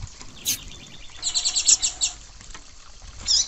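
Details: Female rusty-collared seedeater call used to excite males. A fast, stuttering series of high twittering chips is followed by a single squeaky note. Low background rumble throughout.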